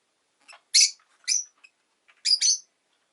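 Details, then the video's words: A pet rosy-faced lovebird gives harsh, high, screechy chirps in short bursts, about five notes over three seconds with quiet gaps between; city noise such as car, motorbike and bicycle sounds may be in the background. "Lovebird Chirping Sounds"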